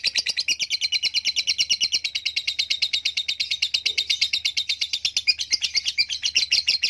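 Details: A kept competition lovebird, noted for song bouts lasting five minutes or more, pours out a long, unbroken stream of rapid, shrill chattering chirps.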